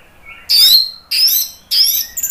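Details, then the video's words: Orange-headed thrush, kept as a songbird and played as a lure and therapy sound for other thrushes, giving three loud bursts of high, rich, warbled phrases about half a second apart, with quiet pauses between. "SUARA ANIS MERAH bikin EMOSI jadi NYAUT NGEPLONG ¦ PANCINGAN AM"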